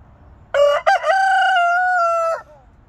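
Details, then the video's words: A rooster crows once: a harsh, broken opening followed by a long, steady, strongly harmonic note held for over a second before it cuts off, with quiet background before and after. "The rooster crows"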